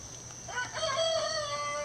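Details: A 3-year-old Gold Sebright bantam rooster, the loudest on the farm, crows to the backyard flock: a short, high, strained crow, rising then holding a thin drawn-out note, over a faint steady hiss.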